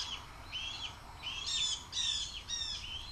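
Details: Young red-tailed hawk calling at its mother during her flybys near the nest, hoping to be fed, 7.2.23. A continuous run of wheezy, slurred squealing notes comes roughly twice per second, growing louder and harsher midway.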